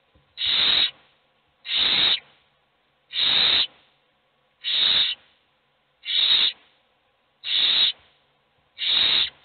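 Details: Begging owl chicks, hungry, with only one being fed: seven steady, evenly timed hissing screeches, about one every 1.4 seconds, harsh and breathy.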